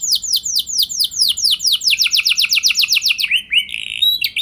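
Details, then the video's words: Canary song used to coax other canaries into singing: a long rolling series of high, downward-sweeping whistled notes repeated several times a second, ending with short varied twittering phrases. "Pancingan Burung Kenari Biar Ikut Gacor Ngeroll Panjang! Pasti Nyaut Kenari Mana Saja Dengan Ini"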